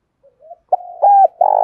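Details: Brief Spotted dove coo used to provoke rival males, thổ đồng voice: faint soft notes, then a sustained hollow tone rising into a louder clear coo and the start of a rough buzzy note.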